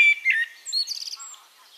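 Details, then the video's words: Eurasian blackbird song phrase recorded in Castricum, the Netherlands: a clear sustained whistle sliding down, followed by a quick high trill of rapid notes and faint lower chirps. "One Hour Relaxing Birdsong: Blackbird"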